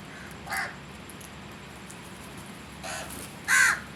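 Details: Crows calling: three separate short harsh caws, the first moderate, the second fainter, the last loudest and clearest, spaced over a few seconds against a steady hissing background.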